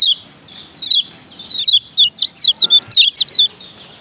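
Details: High chirping 'ciak ciak' call of a male lemon-bellied white-eye from Lombok: a few opening notes, then a quick, bright series of squeaky, dipping chirps that ends abruptly.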